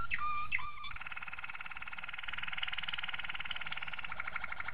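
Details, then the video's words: Malinois Waterslager canary training song opening with two swooping whistled notes, then a long fast rhythmic rolling trill, pulsing several times a second. "Malinois Waterslager Canary Training Song Master"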